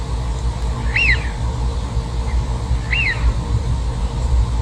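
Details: Eurasian wigeon whistling twice about two seconds apart. Each call is a sharp rising-then-falling whistle over a constant low-pitched background rumble.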